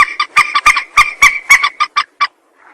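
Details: Rail call used as a trapping lure: a series of harsh, clucking notes with strong harmonics, about nine in under two and a half seconds, then fading to near silence.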